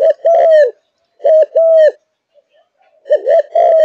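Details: Kept Malaysian spotted dove in full song: rich, loud low coos, a short note joined to a sustained arched coo, three phrases separated by brief silences.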